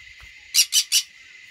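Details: Green-cheeked conure pair and their newly fledged chick in a small aviary give a rapid burst of three grating, high screeches close together, then quiet apart from a constant electrical-sounding hum.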